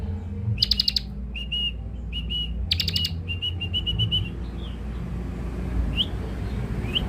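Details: Young ciblek (Bar-winged prinia) lure bird: harsh, buzzy stuttered bursts alternating with runs of clear, evenly spaced whistled notes, then a few faint rising chirps, with low hum in the background.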